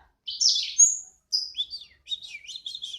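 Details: Small vigorous pet sanger bird utters a few high buzzy notes and a thin whistle, pauses, then gives a softer rippling twitter.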